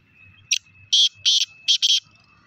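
A black francolin gives a harsh, grating call of five loud rasping notes in about a second and a half, over a faint steady hum.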